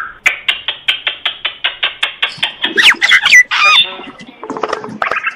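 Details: Morning song of a common myna, opening with a steady series of about fifteen short, clipped notes repeated rapidly, then breaking into harsh squawks, creaky slurs and a final burst of mixed chattering tones.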